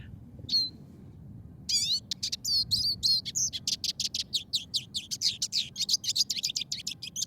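Eurasian siskin song: a fast, high, continuous twittering and chattering run of varied notes, some buzzy and wheezy, tumbling out without pause.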